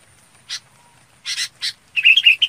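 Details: A red-whiskered bulbul gives a single rasp, then a pair of rasps, then one more, and closes with a lively burst of bubbling whistled notes, calling the flock together.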